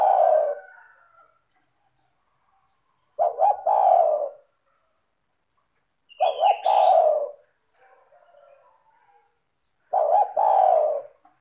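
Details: Spotted dove sings a dense, clear song used as a lure for other doves: four coo phrases, each a few short notes and a drawn-out throaty coo, about three and a half seconds apart, with one brief higher whistle.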